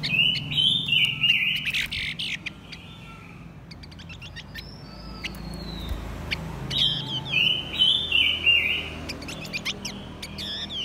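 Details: A Blue-winged minla pair, male and female, sings as a decoy to lure wild birds: bright, high warbled phrases in two bursts, with sharp chirps and clicks between them and a faint low hum.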